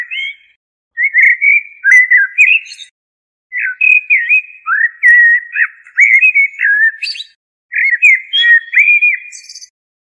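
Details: Fluty, warbling phrases from a common blackbird, three bursts of looping whistles each laced with thin, high-pitched squeaky twitters at the end, separated by brief silences.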